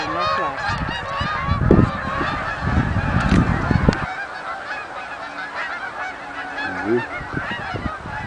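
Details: Many Canada geese coming in to the marsh at Oak Hammock Marsh and Fort Whyte: a busy wash of overlapping honks, loud with low wind buffeting for the first four seconds, then thinner calling continuing over quieter background.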